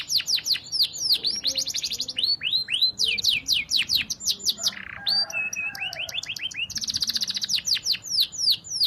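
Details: Canary song meant for training other canaries, continuous: fast series of high descending whistled notes alternating with dense trills and a brief lower warbled phrase.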